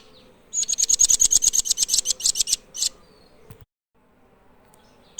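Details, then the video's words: Blue nuthatch birdsong: a rapid series of about twenty sharp, very high, clipped notes over two seconds, steady in pitch and slightly uneven in pace, then quiet with faint background hiss. "Blue Nuthatch Birdsong"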